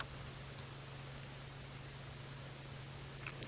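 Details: Near silence with a low steady hum and faint hiss, ending in a couple of soft clicks or taps.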